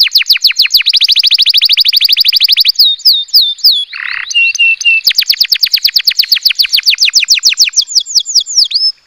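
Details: Canary song used to stimulate mating in the breeding season: long runs of fast, evenly repeated high chirps, then a brief buzzy note, a few clear whistled notes, more rapid rolling trills, and a final rising whistle.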